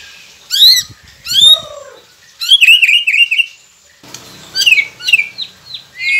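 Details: White-rumped shama training song to make captive birds sing: high, sharp downslurred whistles, then a warbling burst of rapid notes, then more high chirps after a brief pause.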